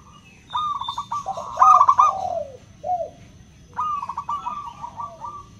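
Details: Crystal-voiced local zebra doves cooing to draw reluctant doves into song: a fast stuttering run of coos falling slightly at the end, a pause, then another rolling phrase from a second bird.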